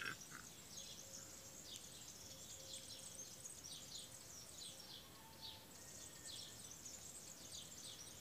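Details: Birds singing early in the morning: a dense chorus of many high, quick overlapping chirps and trills above steady background hiss, with a few thin sustained whistles lower down.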